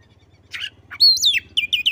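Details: Oriental magpie-robin answering a reluctant rival: a buzzy burst, then a long bright whistle sliding up and down, followed by three short repeated whistled notes.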